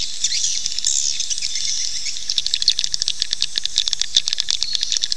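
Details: Swiftlet lure sound for drawing swiftlets to nest: soft high twittering at the opening, followed by a run of crisp rapid clicks repeating irregularly.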